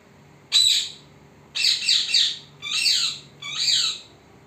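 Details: Pet parrot, recorded without its noticing, giving four harsh chattering squawks in about four seconds, each a rasping burst with falling tails, indoors with faint low background hum.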